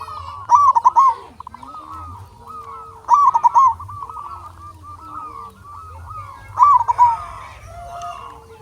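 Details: Local zebra doves in a lure recording used to get other doves singing: loud rolling, bubbly coo phrases burst out about every three seconds, with softer overlapping cooing from several doves between them.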